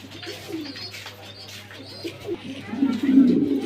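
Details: Captive pigeons at a farm in Mirpur 1, Zahurabad: quiet murmuring swells into loud, throaty cooing over the last second, with a low steady hum throughout.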